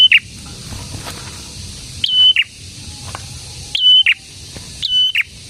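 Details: Singing prinia, locally known as prenjak tamu, delivers four whistled phrases at irregular intervals, each a held high tone framed by quick slurred notes, over soft outdoor background noise.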